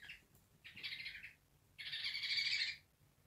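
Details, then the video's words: African grey parrot, described as angry, giving harsh, noisy barks. A brief rasp is followed by a longer grating burst and then a drawn-out, intense screech of about a second, all in a quiet room. "AFRICAN GREY - barking angry bird"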